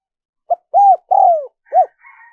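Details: Spotted dove coo phrase used as a lure for wild doves: brief note, two full coos with the second long and falling, then a short arched coo, followed by faint higher chirping from another bird.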